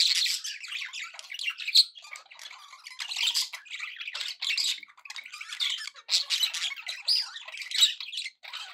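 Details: Long stretch of happy budgie chatter, pet birds keeping up a continuous scratchy warble mixed with sharp squawks and quick chirps, rising and falling in loudness.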